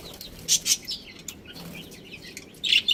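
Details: Budgerigars from a breeding pair giving short, high, scratchy chirps in clusters near the start and end, with softer twittering between and a faint low hum.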